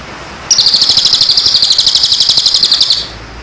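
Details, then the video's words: Bird song played as training material for moulting and post-moult birds, a bright high rattling trill repeated about four times a second for roughly two and a half seconds. "masteran Burung istimewa.Cocok untuk Burung Mabung.&Pasca Mabung"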